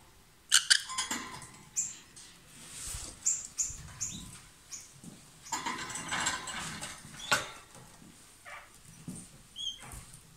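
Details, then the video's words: Two lovebirds together, singing loudly as they kiss or swap food; bursts of raspy chatter and clicks, with a few thin high whistled chirps scattered between quieter pauses. "Gli inseparabili | 20minutes Love birds Sound"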